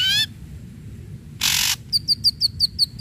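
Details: Ashy Drongo song used as a lure to stimulate young, silent or non-singing drongos to sing. A short nasal harmonic note, then a harsh rasping burst, then a quick series of sharp high downslurred whistles, about six per second.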